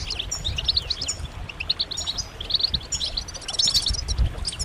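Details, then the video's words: European goldfinches calling as a group with mating and readiness twitters that excite males to sing; repeated bouncy chirps and trills, growing busier toward the end, over a low rumbling background. "بتبتات جماعية رهيبة للحسون فعالة في تحفيز الحسون على التغريد والهيجان"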